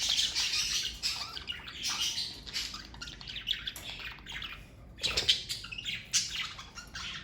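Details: Lively chatter from pet parakeets living as a family: continuous high warbled chirps and squeaks, loud and busy, with a short lull before another rush of calls.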